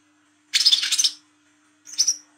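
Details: Olive-backed sunbird, local name wiceh trotol, at night in ngriwik style: one harsh, fast-pulsing buzzy trill lasting about half a second, followed after a pause by a short high whistled note.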